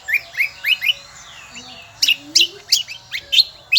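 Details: Kecial kombo from Lombok island, where it is endemic, giving shrill song: four quick upslurred chirps, a short pause, then a string of sharp, high, piercing notes.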